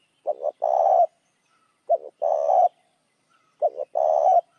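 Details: Lure call of a spotted dove used to attract other doves, three phrases about every two seconds; each opens with a quick double coo and ends in a longer, buzzy, sustained coo.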